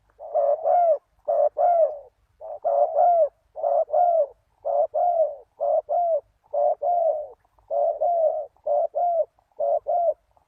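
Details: Spotted dove calls played to attract wild doves: a steady run of about fifteen hoarse, arching coos in tight pairs over ten seconds, repeated with an even rhythm and no other sounds.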